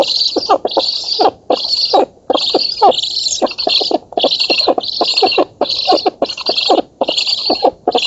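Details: Nest-camera recording of black stork chicks begging while fed in an oak in Poland on 11 August 2017: nearly continuous run of rough, hissing wheezes pulsing about twice per second, laced with rattling clicks.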